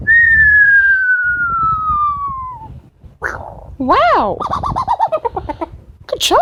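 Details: Pet female Amazon parrot at home: a long smoothly falling whistle, then a harsh squawk and a series of looping, wavering warbled notes, ending in a rising squeal, with quiet talk from her owner.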